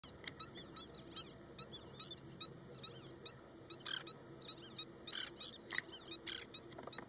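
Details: An Oriental Pratincole performing a broken-wing display at Osman Sagar, Hyderabad, gives sharp, high, tern-like chips and short chattering bursts, several per second, over faint low background noise.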